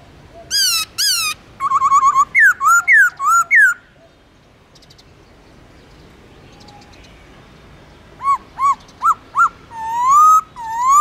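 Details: Caged black-throated laughingthrush singing in forest-voice style with long slurred phrases: a burst of rich, harmonic whistled notes rising and falling in quick succession, a few seconds' pause, then a further run of looping whistles ending in a long slurred note.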